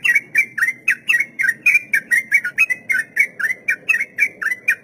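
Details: Sooty-headed bulbul's long 'ropel' song for tutoring untamed captive birds: rapid rolling whistled notes, about four per second, each dipping then rising, over a steady low background hum.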